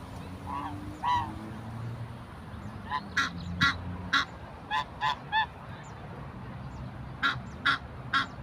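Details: Angry geese, described as African geese chasing people, honk in short nasal blasts, clustered in quick runs of two or three with pauses between, over steady background noise.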